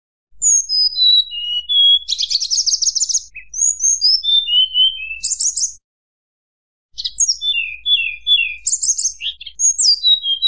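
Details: Song of a mountain tledekan meant to stir rival birds, made of descending whistled slurs and buzzy rapid trills, delivered in phrases separated by a silent gap of about a second.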